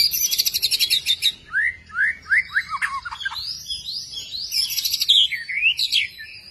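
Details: White-rumped shama of the long-tailed type, a kept bird, opens with a rapid buzzy rattle, then a series of upslurred whistled notes and high warbled flourishes, ending in a quick trill.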